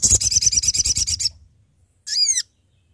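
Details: Sooty-headed bulbul calling to companions, used as a trapping lure: a rapid buzzy trill of evenly pulsed high notes for over a second, a pause, then one harmonic arched call note.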